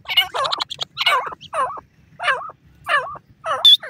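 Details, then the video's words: Female partridge uttering a series of chattering, harmonic notes, each bending down then up, spaced roughly half a second apart, with a brief high whistle near the end. "The voice of the Modi partridge"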